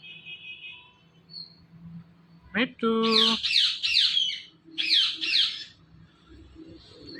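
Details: A pet talking parrot in a small room lets out a rising screech, then a burst of loud, harsh, repeated squawking notes in two groups, with a low background hum.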